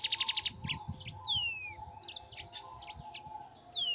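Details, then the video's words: Mozambik canary singing continuously in ngerol style: a brief quick trill, then scattered thin downslurred whistles and chips, fairly quiet, with low rumbling noise and a faint steady tone behind. "MASTERAN BURUNG MOZAMBIK GACOR NGEROL"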